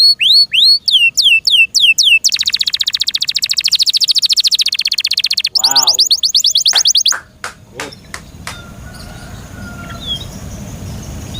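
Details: Caged canary song: loud rapid trills of high descending whistled notes, then fast buzzy rattles and a short lower warble, followed by a few sharp clicks and quieter background noise.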